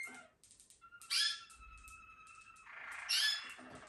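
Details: Bred for its song, a Malinois Waterslager canary gives a short stuttering start, then long flat whistled tones on two pitches, framed by two loud bright bursts.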